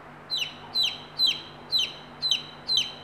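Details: Young native chickens near a mother hen that shows them food; shrill descending cheeps repeated roughly every half second, six in a row, with faint background hum.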